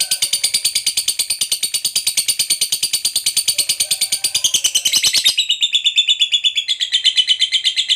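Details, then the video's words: Lovebird fighter chattering nonstop in the long 'ngekek' style to provoke answers from other lovebirds: a dense, high, rasping trill that shifts to a slightly lower, smoother rattle after about five seconds. "KICAU LOVEBIRD GACOR NGEKEK PANJANG Bangkitkan EMOSI, Lovebird Yang DENGAR Nyaut BUNYI Seketika"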